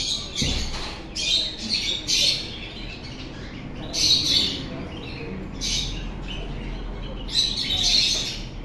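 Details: Pet parrot calling with repeated rough, scratchy squawks in short bursts about every second or two, each harsh and noisy, with quiet gaps between.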